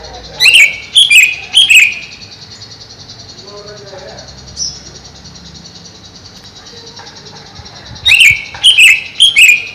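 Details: Caged greater green leafbird kept above a pond, giving loud sharp descending notes in two bursts of three, separated by a quieter gap with faint low background sounds and a steady high hiss.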